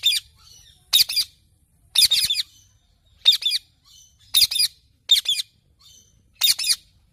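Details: Loud paired squawks from a parrot, sharp raspy double notes repeating roughly every second over seven seconds, with quiet chirpy chatter in the gaps.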